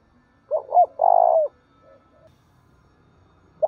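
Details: Spotted dove used as a decoy bird, calling eagerly to provoke other doves to answer. Gives one cooing phrase: two short hoarse notes, then a long rolling coo that fades, with a faint low answering note near the end.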